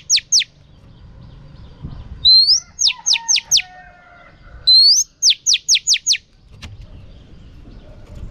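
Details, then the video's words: Female oriental magpie-robin whistling to provoke males. Two descending notes open, then twice a rising whistle followed by quick runs of four or five sharp downward-sweeping notes, with soft lower tones and background hiss. "Choè than mái kích trống hay nhất"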